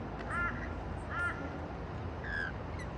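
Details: Rainbow lorikeets eating white bread on a patio; a few short harmonic squawks, two close together then a third about a second later, over a steady low rumble.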